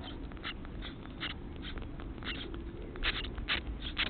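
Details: House sparrow chicks begging while adults feed them; rapid, scratchy chirps repeated about twice a second, growing louder and sharper toward the end, over a dull low rumble.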